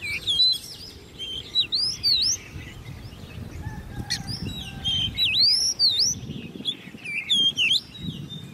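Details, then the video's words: Ten-month-old hand-raised Oriental magpie-robin in a cage, competition singing: repeated loud swooping whistles that dip then rise sharply, in bursts, with thin chirps and a faint low hum. "Chú Choè Than Nuôi Non 10 Tháng Lồng Mỏ ''SIÊU DỊ'' Hót Đấu"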